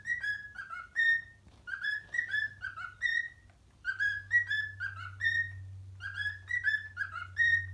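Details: Pet parrot whistles an Addams Family melody to fellow parrots. Bright, overtone-rich whistles fall into quick stepped phrases, and the motif returns about every two seconds. A steady low hum runs underneath.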